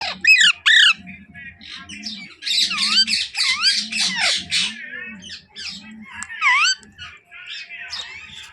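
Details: Baby Alexandrine parakeet kept as a pet, calling indoors: harsh, loud squawks with sweeping up-down pitch, in rapid bursts of repeated screechy notes and some softer chattering between them.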